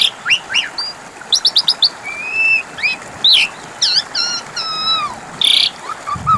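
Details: Asian pied starling song used to stimulate a non-singing bird to answer: quick chip series, a drawn-out whistle, looping V-shaped notes and a harsh burst near the end, some low noise after.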